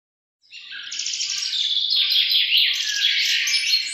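Birds chirping in a continuous, dense chatter of high, bright twittering notes that rise and fall rapidly; no other sounds stand out.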